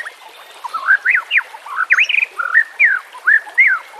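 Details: Song of a White-rumped shama, used for training birds: a looping series of mellow whistled notes, each sliding up and down, repeated roughly twice a second.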